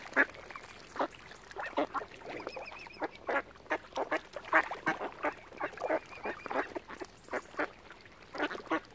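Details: Flock of ducks surrounding a swan family at Oxford Island on Lough Neagh, Ireland: loud, separate harsh quacks spaced roughly every half second, plus a brief high, wavering whistle in the middle.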